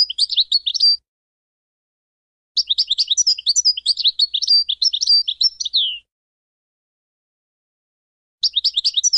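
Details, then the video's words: European goldfinch song: rapid, tinkling twitters and liquid trills, high-pitched, in bursts of one to three seconds with brief pauses between. "Serenading Goldfinches"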